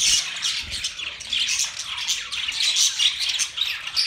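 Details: Mating budgerigars producing a dense, shrill warble of squawks and chirps, rising and falling in rapid waves across the whole stretch.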